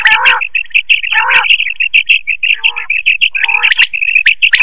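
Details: Quail voice used as a lure for night net hunting: two nasal harmonic bursts, then a long, fast, even train of high chirps with lower notes mixed in.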